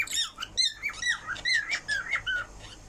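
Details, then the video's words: Parrot singing indoors, a run of squeaky whistled notes sliding up and down, some warbled and some falling, packed closely over three seconds. "Parrot Singing"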